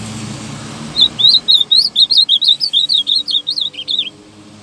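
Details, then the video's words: Ultramarine grosbeak singing with vigour: a rapid sequence of sharp, warbling whistled notes, rising and falling, roughly four per second for about three seconds, with low rumbling noise underneath. "AZULAO CANTANDO FIRME"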